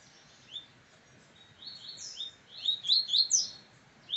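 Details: Captive brown double-collared seedeater, singing head-to-head with another brown bird, delivers a fast, high-pitched jumble of sharp whistles and slurred chips that builds in loudness toward a dense, rapid climax before a last clipped note.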